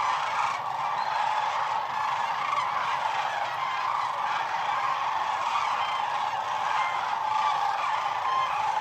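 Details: Several hundred thousand wild sandhill cranes gathered on the Platte River at night at the peak of their northern migration, heard from a photography blind: an unbroken, dense chorus of overlapping rolling, trumpeting calls with no pauses.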